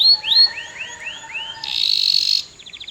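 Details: Canary song phrase with a few rising-falling arched whistles, followed by a dense high buzzy rattle and a short fast trill at the end.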